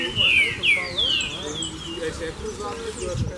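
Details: Excited male green-winged saltators at Chácara Real react to a free-flying female: three clear, strong whistled notes sliding downward in quick succession, then fainter trailing phrases, with a man talking quietly underneath.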